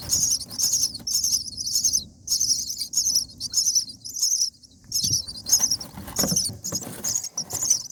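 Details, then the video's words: Day-7 common myna nestlings calling for food as they are fed: repeated short, scratchy, sizzling bursts at a quick, slightly uneven pace, with light rustling and bumps in the nest. "Common Myna Feeding baby birds"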